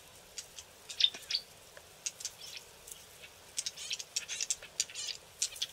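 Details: Green-backed camaropteras, likely a few young birds learning to vocalise and hidden in thick bush on a river bank, give scratchy, high chirps and snapping notes in irregular bursts that quicken into a busy chatter.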